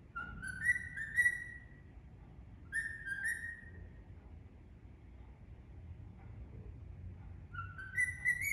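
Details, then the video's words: Indian ringneck parrot singing, giving clear whistled phrases that rise in steps, in three bursts separated by quiet gaps, over low background hum. "Indian Ringneck Parrot Singing"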